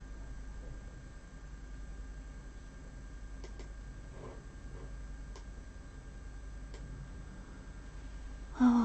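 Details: A quiet indoor room with a steady low hum, faint soft breathing or sighs, and a brief louder bump at the very end, with no animal voice.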